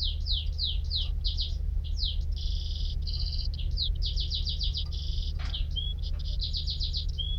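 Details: Varied canary song mixing swooping downslurs, a tight two-tone rattle, fast chipped runs and short whistles, phrases changing every second or two.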